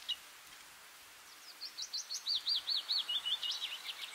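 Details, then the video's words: Bluethroat singing a rapid run of repeated high chirping notes, about two or three per second, building in loudness over a quiet background. "Bluethroat (Luscinia svecica) song"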